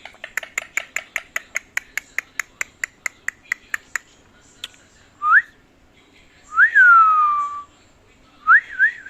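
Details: Pet parrot indoors giving a quick run of about fifteen sharp clicks, then a short rising whistle, a long whistle sliding downward, and a final wavering two-note whistle.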